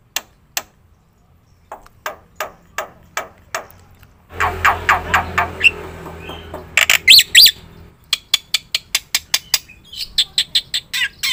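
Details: Black-winged myna recording used as a lure and master for other birds: soft, spaced chattering notes, then a noisier passage of harsh buzzy bursts and brief whistles, ending with rapid scratchy notes.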